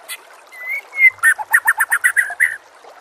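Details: White-rumped shama singing a master song meant for training other birds: two drawn-out rising whistles followed by a quick run of about ten loud, even chattering notes.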